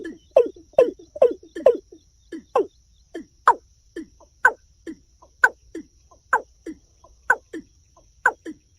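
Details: Rapid paired falling notes from a watercock at first, then a steadier run of sharp clucks. The notes get louder and more spaced toward the end.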